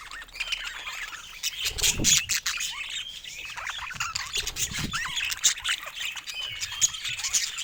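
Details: Several pet budgies chattering busily: curving whistled warbles, squeaks and scratchy notes overlapping, plus a few soft thumps.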